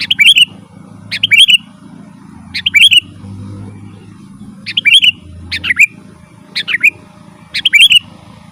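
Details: Sooty-headed bulbul singing its lively rolling song, used to call wild birds and to train caged birds: loud, bubbly whistled phrases of a few quick notes, delivered in irregular bursts with brief pauses, over a low background drone.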